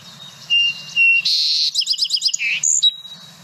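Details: Song sparrow near Boise, Idaho, singing two clear whistled introductory notes, then a harsh buzz, a rapid sweet trill and a few closing notes; low steady background hum, and other birds, including a robin and possibly a yellow warbler, are faintly audible.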